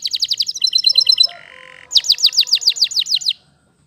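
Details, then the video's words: Waterslager canary singing a fast series of bright repeated notes, a sparkling high twitter and a short flat buzzy tone. A run of rhythmic downward-sweeping whistles follows, then the song stops. "Canary Waterslager Singing"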